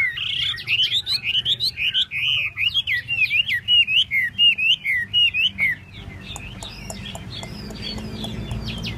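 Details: Chinese hwamei with fanned tail sings a long, even series of about twenty bright whistled notes, each a quick wavering slur, before the song fades into quieter scattered notes and clicks.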